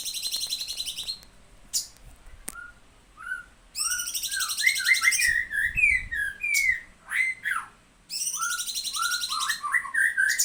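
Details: Cucak cungkok in full 'tembakan' song: short fluty whistled notes, some rising and some falling, alternating with dense, very high, rapid buzzy trills, with brief pauses between bursts.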